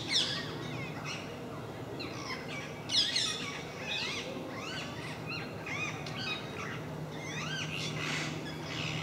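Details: Noisy calling from a parakeet group that regularly visits MK park: loud screeches at the start, then many short sweeping, chattering notes with a low hum beneath.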